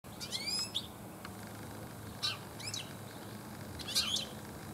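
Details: European goldfinch singing in a garden in late afternoon, one of many goldfinches present this year; short bursts of bright, twittering, rapidly modulated notes in three separate phrases over steady low background hum.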